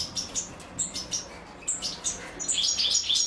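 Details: Female European goldfinch feeding her chicks; the nestlings beg with high, thin chirps in short bursts, about four per second at first, rising into a denser, more excited chatter toward the end, with faint low background rumble.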